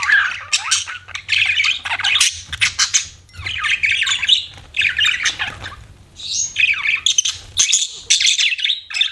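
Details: Pet budgerigars chirping: busy, scratchy chatter of warbles, squawky notes and quick chirps in bursts of one to two seconds separated by brief pauses, with a low steady hum in the background.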